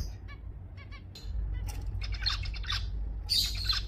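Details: Zebra finches in Singapore, recorded November 2024, giving a busy mix of short nasal beeping notes and chattering calls that overlap densely in the second half, over a steady low rumbling hum.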